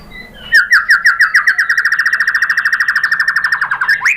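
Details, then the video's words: White-rumped shama (murai batu), a kept songbird, used as a lure to make other shamas answer; a rapid buzzy rattle of about thirty notes, each dropping slightly, ending in a rising note. "MURAI BATU jadi EMOSI NYAUT GACOR ¦ PANCINGAN MURAI ¦ SHAMA BIRD"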